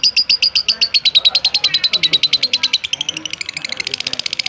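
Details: Lovebird delivering a long ngekek in a tutor recording for training birds. A rapid high trill of evenly spaced pulses carries through, growing faster and denser near the end, over a faint low murmur.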